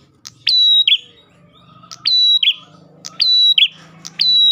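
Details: Ash tailorbird lure song: four emphatic phrases a little over a second apart, each a click followed by a sustained high whistle and a lower falling note, the last one cut short, with faint low humming.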